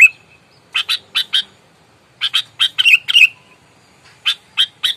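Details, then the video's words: Aggressive sooty-headed bulbul provoking rivals: groups of three to five rasping chattery notes, one burst ending in a whistled down-slur, separated by short silences. "Kutilang gacor, galak, tarung, full suara alam, bikin emosi lawan"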